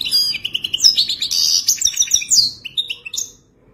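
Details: European goldfinch giving its mating song, meant to help a caged goldfinch learn: a dense, continuous stream of quick twittering and tinkling notes that thins out and stops just before the end.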